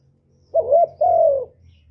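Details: A single spotted dove phrase in the 'một hậu ròng' style: a wavering throaty coo, then a longer smooth coo sliding downward, over a soft low background hum.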